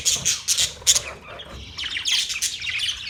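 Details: Pet budgerigars chirping: overlapping scratchy squawks and high chatter, loud at first and then thinning into a continuous busy warble.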